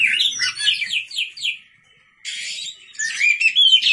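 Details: Night lure song of a white-rumped shama: a quick series of descending whistled notes, a pause, then rising whistles and rapid chatter.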